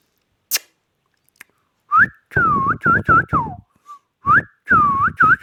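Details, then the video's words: Pet Indian ringneck parakeet giving a set of short whistled notes, some dipping and some rising, in two bursts separated by a pause, with a few faint clicks before. "Parrot Indian |talking |Ring |Neck"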